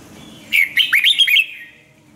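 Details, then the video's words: Red-whiskered bulbul song used to train other birds' singing: one quick phrase of about six loud, clear whistled notes that swoop and rise, lasting about a second, over quiet background hiss. "chào mào luyện giọng hót hay"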